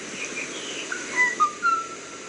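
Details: Kauai ʻōʻō giving a quick series of three clear whistled notes, each slightly longer and smoother than the last, over steady hiss.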